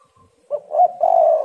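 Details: One full coo phrase from a female spotted dove in heat, used to draw males: a short stutter, a rising middle note, then a long, hoarse, drawn-out final coo.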